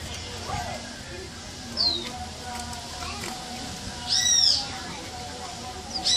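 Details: A bird whistles, recorded 2018: brief, high, downward-sliding whistled notes, one soft note early, then a louder ringing whistle near the end, over steady low background noise.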